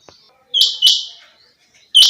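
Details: A single female quail, chinga batair, utters a loud, high, two-note call, a sharp flick then a longer buzzy tone fading off, followed by the start of another call.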